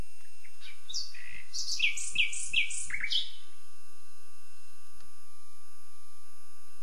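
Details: Song phrase of a common nightingale: a quick run of sharp chirps, then four emphatic downslurred notes spaced evenly about a third of a second apart, ending abruptly.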